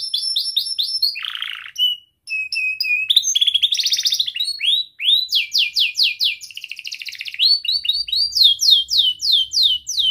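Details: Young canary sings a varied tight-roll song used for training young canaries: whistled notes, a buzzy low burst, chattering trills and runs of fast falling slurs, with a faint low hum late on.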